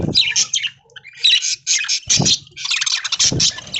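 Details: Aviary budgerigars in the early morning while being fed corn in green leaves: dense, high chirping and squeaky warbling chatter from many birds in overlapping bursts, with brief pauses and a few low knocks.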